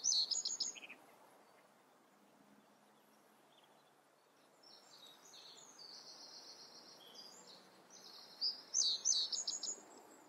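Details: Reed bunting singing: a loud burst of high, bright chirping notes opens the phrase, a quieter stretch of thin buzzy tones follows, then another loud cluster of sharp notes at the end over soft rural background noise.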